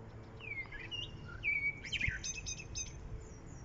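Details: Spring song of a common blackbird, recorded 1 April 2021 in Lanfertsweg with daffodils nearby: a sliding fluted phrase, then a burst of thin, high squeaky notes, over soft background noise.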